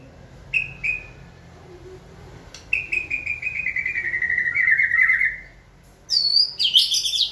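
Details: Caged white-rumped shama encouraged to sing in training: a couple of short whistles, then a long, sustained warbling note that slowly falls in pitch, followed by a high, sharp, twisting phrase.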